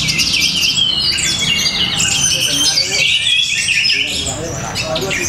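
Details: Orange-headed thrush from Tabanan, Bali, singing with described rhythm, style and power: fast, high, overlapping whistled and chattering phrases, tumbling and varied, with a low hum underneath.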